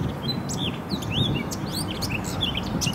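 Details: Spring 2018 in Poznań, Poland, with Eurasian blackcaps singing: short whistled slurs and quick chirps tumble over one another across three seconds, with a constant low hum beneath.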